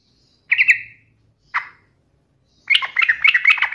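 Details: Yellow-vented bulbul singing to taunt a rival: two short bubbly chortled phrases, then a longer run of rapid, gurgling, chattering notes toward the end.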